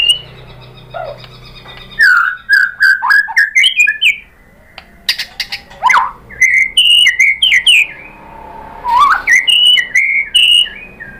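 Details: White-rumped shama, Indonesia, singing to provoke a caged shama into answering: bursts of rich whistled phrases and sharp chips, broken by pauses, with one low rising slur near the end.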